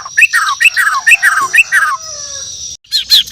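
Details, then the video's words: Morning song of a Bornean white-rumped shama: five similar phrases repeated about every third of a second, each a high note sliding down into a slurred whistle, then a faint drawn-out tone and a burst of sharp chips. "The Best Bird Singing In The Word || Murai Batu Borneo"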